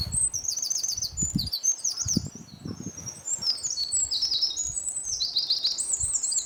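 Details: Eurasian wren pouring out a long, fast song of very high rattling trills and sharp twittering notes, one phrase running straight into the next, over a soft low background rumble with a few dull thumps.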